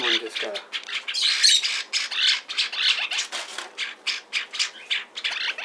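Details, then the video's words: Hand-tame pet lineolated parakeet at a pet shop in Fukuoka, Japan, apparently happy, giving a fast run of harsh, scratchy chirps, several per second, bursting and fading unevenly with no pauses, indoors with no other clear sounds. "サザナミインコ うれしいみたい！？"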